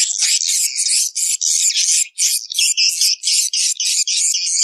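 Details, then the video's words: Swiftlet chatter aimed at swiftlet breeders: a crowded, almost unbroken mass of sharp, high-pitched chirps, repeated quickly with short gaps throughout. "Suara burung walit banyak datang"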